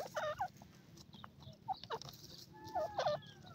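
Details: Pheasant chicks in a forest answering a call: soft, downslurred peeps, some doubled, scattered over a hiss of background noise.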